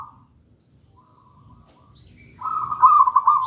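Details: Wild local zebra dove of the gedang rojo song style, used as lure and master song for young doves not yet singing: near-silence, then a loud burst of rapid, trilled cooing notes near the end.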